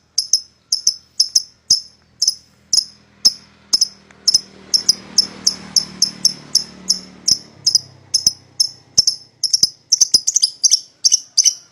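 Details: A pair of paud lovebirds, used as a lure to draw a rival into calling, gives sharp, high chirps repeated steadily about every half second, with a faint low hum in the middle.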